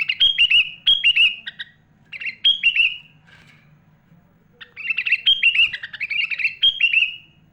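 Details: Sooty-headed bulbul singing energetically, with borrowed phrases from other birds such as magpie-robin, used to tutor young and adult bulbuls: bursts of sharp downslurred chirps, a quiet gap of about a second, then dense overlapping whistled notes over a steady low hum.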